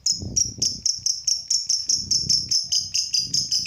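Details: Lovebird song used to spur other lovebirds into vigorous singing: rapid, high, shrill chirps repeated about twice a second in a steady chattering run, with faint low rustling underneath.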